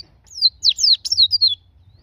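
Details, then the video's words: White-eye (pleci, Zosterops) song used to prompt a bird to open its beak and sing: a quick run of five or six high, thin, down-slurred whistled notes in under two seconds, over a faint low hum. "Pancingan pleci agar buka paruh"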